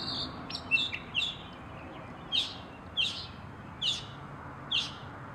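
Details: Northern mockingbird giving high, scratchy notes: a few quick chirps at first, then single harsh buzzy notes spaced about every second, against a quiet background.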